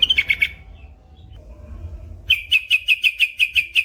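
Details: Male yellow-vented bulbul (trucukan), long ropel style: a short burst of quick high chirps, a pause, then a rapid even run of about nine bright, clipped notes.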